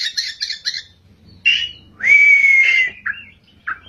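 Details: Oriental magpie-robin singing vigorously in ngerol and nembak styles: quick bursts of high chirps, then a loud sharp note and a long, slightly falling whistle, followed by short clipped notes.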